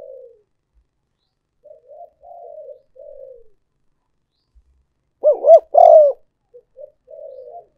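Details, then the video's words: Luring call of a spotted dove used as a decoy. Gentle low cooing fragments, then a single loud doubled coo with a longer drawn note, followed by faint trailing coos. "cu gay moi chuan mp3"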